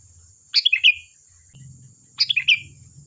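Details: Two quick bubbly phrases of descending liquid notes from a sooty-headed bulbul, sung to lure other birds to reply, with a low rumbling hum underneath and a thin steady high hiss.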